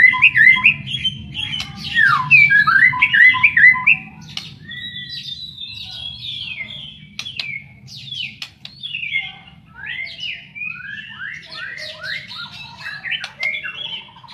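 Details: White-rumped shama, described as a fighter, singing a rich, varied stream of whistled and warbled phrases that sweep up and down, with quick twittering runs, several sharp clicks and a steady low hum underneath.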